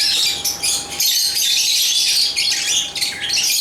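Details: Shrill, buzzy chattering from African lovebirds (Agapornis) fills the whole stretch, a continuous tangle of scratchy high chirps and squeaks over a faint constant hum.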